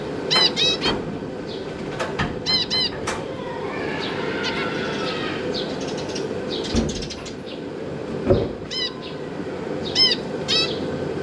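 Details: Zebra finch family in a large cage, parents feeding young, on 18 December 2022: short nasal, buzzy calls in clusters of two or three, scattered through the recording, with soft thumps and wing flutters in between.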